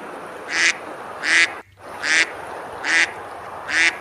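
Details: On a river at Besalú, Girona, Spain, ducks feed and splash on a summer day; five loud harsh quacks at an even pace, broken by a brief moment of near silence after the second, over steady hiss.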